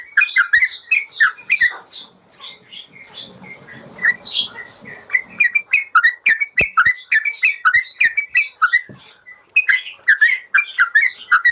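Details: Yellow-vented bulbul song as a master recording for training caged birds: opening burst of warbled whistles, a quieter stretch with soft hiss and faint notes, then a dense, rapid flurry of chirpy whistles.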